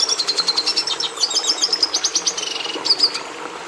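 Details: Continuous high-pitched warbling from a red siskin (Carduelis cucullata), quick chattering notes strung into trills with a short buzzy phrase near the end and light hiss underneath.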